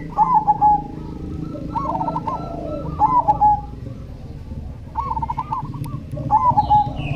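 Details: Cemani zebra dove song: a repeated pattern of a clear swooping coo followed by a rapid rolling trill, cycling every one to two seconds over a steady low hum.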